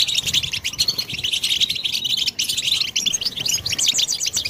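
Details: European goldfinch song meant to stimulate other goldfinches, continuous bright, rapid twittering and trilling notes with barely any pauses.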